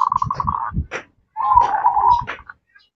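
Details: Talkative female zebra dove calling a male, ngerot and nretek style. A quick pulsed trill is followed by a longer, fuller rolling purr, with low thuds underneath.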